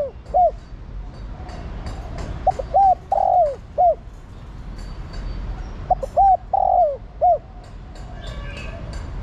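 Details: Female spotted dove, kept to call the male and set a decoy cooing all day. There are two repeated phrases of short rounded notes around a longer falling coo, with faint clicks between them.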